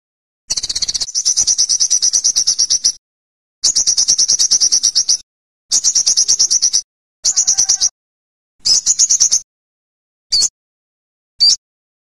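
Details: Olive-backed sunbird sings very high, rapid buzzy trills in bursts of about two seconds separated by short pauses. Later phrases shorten until the last are brief single notes.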